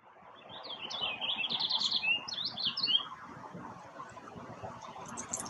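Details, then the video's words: Purple finch male singing in a Quebec backyard where a pair recently arrived, a jumbled, liquid warble of quick up-and-down notes over about two seconds, then soft faint chirps against low background hum. "Roselin pourpré, chant / Purple finch, song"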